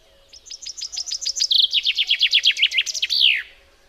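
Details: Common chaffinch delivering its song: a rattling cascade of bright notes gaining volume, then a slightly lower run, finished by a loud, descending sweep. Near-silent background.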